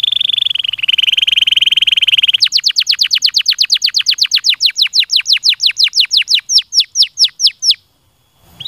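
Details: Stimulating canary song opening with a rapid rattling trill that steps slightly higher partway through, then breaking into a long steady series of sharp falling whistles, roughly three each second, ending abruptly with a brief pause.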